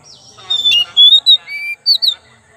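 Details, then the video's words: Oriental magpie-robin in a pancingan (lure) recording: after a soft, murmuring start, about six bright whistled notes, a few rising and one falling, ending in two high twisting whistles. "pancingan kacer"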